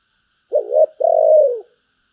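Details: Single cooing phrase of a spotted dove in the giọng thổ bầu voice: a short, slightly wavering low note, a brief pause, then a long, smooth coo that slowly drops in pitch.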